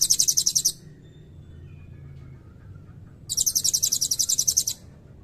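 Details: Blue-crowned hanging parrot singing long 'cililin' trill fills, kept as tutor song for white-rumped shamas and magpie-robins; two bursts of shrill, fast-pulsed high trilling, each under two seconds, with a quiet gap between.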